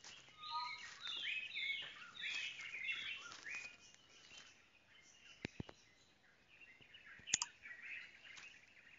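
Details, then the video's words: A tropical boubou gives a burst of mixed whistles and harsher chattering notes over about three seconds, then fades; a few sharp clicks follow. "Tropical Boubou"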